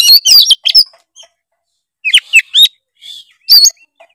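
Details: Kacer, or oriental magpie-robin, singing 'gacor' with full 'isian' mimicry, used to coax a lazy bird into song: rapid clusters of shrill whistles and twittering notes, three distinct bursts with short quiet gaps between them.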